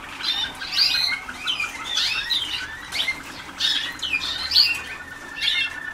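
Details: Waterslager canary pupils, 2010, early in song training with much left to achieve: rapid squeaky chirps and curling slurs in repeated bursts about every second, over a faint steady tone.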